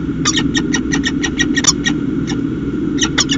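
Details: Peregrine falcon chick at the nest with its parents, late August; rapid series of sharp, high, broadband chips repeated about five times a second, then a short pause and a few more, over steady low rumbling background noise.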